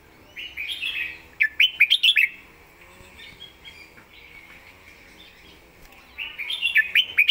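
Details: Red-whiskered bulbul song with clear phrasing: a loud run of rapid, sharp whistled notes, a softer stretch of quieter warbling, then another fast, energetic burst of crisp notes.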